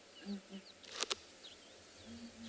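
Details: Male southern ground hornbill calling at dawn in the Kalahari, South Africa, seeking his female on another tree nearby. Low booming notes at the start and end, a sharp click-like noise in between, and thin bird whistles throughout.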